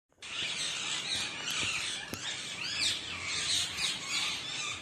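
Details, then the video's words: Rose-ringed parakeet giving harsh, high chattering squawks and chirps, packed closely through the clip over a steady hiss. "Indian cute green parrot ka sounds"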